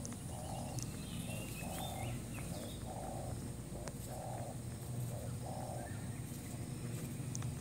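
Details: New spotted dove used as a trapping lure: blunt, evenly spaced coo notes in a steady series, muffled and flat in tone, with low rumbling noise and occasional faint chirps of other birds.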